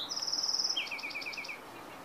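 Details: A Bewick's wren in Carmel Valley, San Diego, on 15 April 2019 sings a thin, high buzzy trill, then a quick run of about seven two-note chips stepping between high and lower pitches, over a soft hiss.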